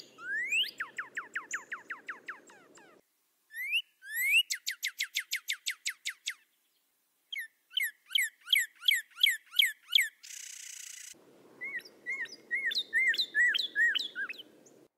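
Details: Wild northern cardinal singing bright whistled phrases: rising slurs, then series of rapid downslurred notes repeated several times a second, with a steady low hum underneath and a brief hiss burst.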